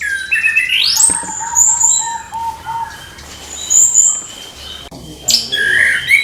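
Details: Orange-headed thrush in the morning, likely a kept bird, with a rapid chattering song. A rising sweep climbs into high whistled notes, a steady lower whistle repeats, then a brief gap and a burst of loud high twittering.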